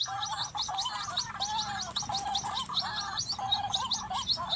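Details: White-breasted waterhens in the afternoon behind a house, drawn to a lure bird at a hanging snare, giving loud bubbling, gargling calls with a wavering pattern; two birds come, overlapping, with sharp higher chirps throughout. One male is caught.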